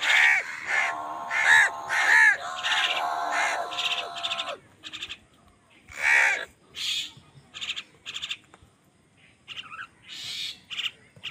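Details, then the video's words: Wild crows calling angrily while fighting other birds for food: a run of harsh, drawn-out caws over the first four seconds, then short rasping bursts spaced irregularly, with fainter chattering bird notes between them. "Angry kawa ki awaaz"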